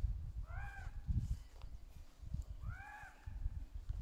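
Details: Ravens, young and adult, exchanging calls in the trees: two hoarse, arched, harmonic caws a little over two seconds apart, over heavy low-pitched rumbling.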